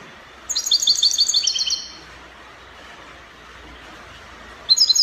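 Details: Moroccan recording of European goldfinch copia song in the Spanish style: a fast tinkling phrase of about a dozen clipped high chirps and trills, then silence, then another twittered burst beginning right at the end.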